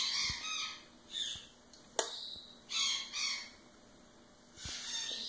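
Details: Female sun conure (Aratinga solstitialis) mimicking speech, short raspy word-like phrases with brief pauses, perhaps "okay" or "blow kiss", also says "what".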